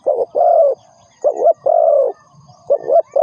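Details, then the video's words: Spotted dove lure call for trapping: a quick double coo leading into a long, even croo, the phrase repeating twice with short silences between. "The Sound Of Spotted Dove is good"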